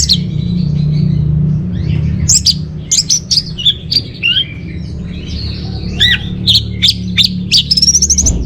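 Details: Orange-headed thrush song serving as lure and master song for caged birds: a long, varied string of clear whistles, buzzy slurs and sharp chips in quick succession, above a persistent low drone.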